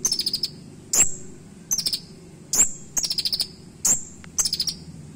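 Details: Purple-throated sunbird (kolibri ninja) giving a sharp, shooting isian song for tutoring birds: rapid clusters of five or six tiny high ticks alternate with loud thin downslurred whistles, pattern cycling about every second, low background hum.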